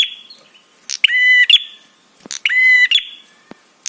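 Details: Two harsh, buzzy prinia notes about 1.4 seconds apart, each with a rapid ticking rattle, between soft clicks and a thin lingering tone. The call is used to draw replies from other birds and rouse them.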